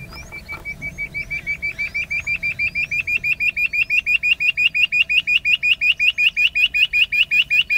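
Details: Rock bush quail, a grassland monsoon singer, recorded at Indapur, Pune, Maharashtra, in August 2024: a long series of sharp, high whistled notes that start slowly, then speed up to several a second and grow louder, over a faint low hum.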